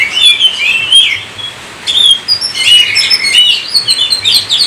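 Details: Oriental magpie-robin giving a clear whistled phrase that bends downward, a brief gap, then a burst of rapid varied notes and rising whistles.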